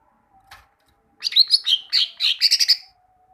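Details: A tutor recording for coaching leafbirds to sing carries a greater green leafbird's loud, quick phrase of about a dozen bright warbling and chattering notes tumbling together over nearly two seconds, after a faint click.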